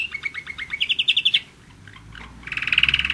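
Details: A German Roller-split canary, one year old, delivers a fast pulsed trill that climbs slightly in pitch, falls quiet for about a second, then resumes with a brighter, buzzy rolling trill.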